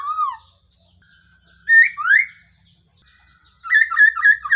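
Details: Black-throated laughingthrush call used to lure birds for trapping: a falling whistle, two rising slurred notes, then a quick bubbling series of short warbled notes.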